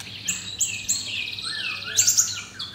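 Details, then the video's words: Caged white-rumped shama, one of four at a bird stall in Kemayoran, Jakarta, singing in 'pastol' style: high whistled notes repeated three times, then a rising sweep and a bright burst of notes, with faint background hum. "4 Murai Batu - Ada Pastol"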